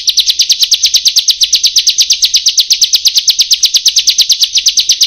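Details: Bar-winged prinia song from a training recording meant to coax reluctant birds into song: a steady, rapid run of sharp, high chipping notes, about three per second, continuing without pause.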